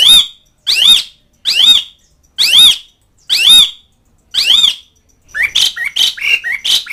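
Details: Asian pied starling calling to mates and rivals: six loud, harsh, harmonic-rich squawks spaced roughly 0.8 seconds apart, then a quick run of shorter chattering notes.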